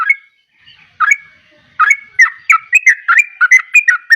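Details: Gacor song of a yellow-vented bulbul. It opens with a few spaced, gurgling whistles, then after a short pause speeds into a steady run of quick bubbly notes, about three each second.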